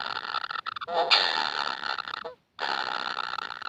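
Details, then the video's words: Young kingfisher chicks, described as never full of food, begging with harsh, raspy, buzzing calls that run almost continuously. A brief gap falls near the end before the rasping resumes. "BABY BIRD KINGFISHER ‼️ YANG TAK PERNAH KENYANG ATAS MAKANAN"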